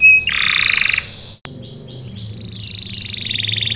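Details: Energetic canary song meant to lure other canaries into answering: a loud dense buzzy roll, a sharp click and near silence, then a run of quick down-slurred chirps leading into a rapid repeated trill.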